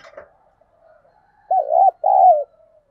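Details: Spotted dove used as a decoy for wild doves, giving two low, rounded coos in quick succession after a faint murmured lead-in. There is a brief rustle at the start.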